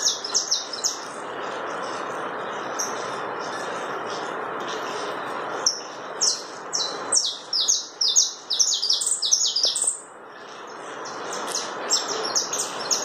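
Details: Canário da terra (saffron finch) song of the chapinha carritilha type: after a few seconds of scattered chips, a dense burst of quick, high, falling notes rolls on, then resumes after a short pause amid constant hiss.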